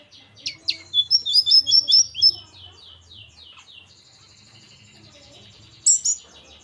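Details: Young local Hill Blue Flycatcher from Merapi learning to sing. It gives a quick string of high, sweet chirped notes for about two seconds, then near quiet, then a short bright double note near the end.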